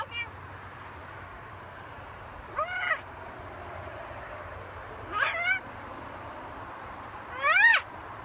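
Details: Macaw on a home balcony giving three harsh, rasping squawks spaced roughly two and a half seconds apart, each a short, stacked burst with a downward sweep, against a quiet background hum.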